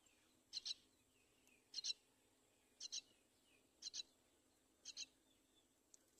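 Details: Mother myna bringing her chick to the side of the nest: clipped double notes, high and rasping, repeated steadily about once a second, with faint soft slurred notes between.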